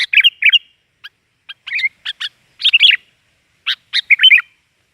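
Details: Sooty-headed bulbul in busy song, mixing bright clipped chirps with short bubbling warbled phrases, delivered in quick bursts with brief pauses and no other sounds around.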